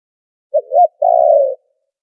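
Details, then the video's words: Spotted dove coo used as a trapping lure, background noise filtered out: a quick hoot and an arched second note, then a long purring coo dropping gently in pitch. "Tiếng chim cu gáy chuẩn kích mồi đã lọc tạp âm | file mp3 cu gáy kích bổi"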